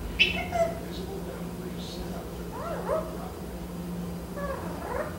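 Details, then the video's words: A male Eclectus parrot, which talks and whistles when the TV is on and nobody is around, gives a sharp, high squawk, then speech-like mumbled phrases and short mewing noises over a steady low indoor hum. "Eclectus Parrot Speaking/Making Noises!"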